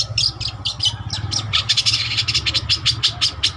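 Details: Cendet trotol (long-tailed shrike) singing actively as lure song: rapid rattling string of harsh high chips at an even quick pace, with a low rumbling hum underneath.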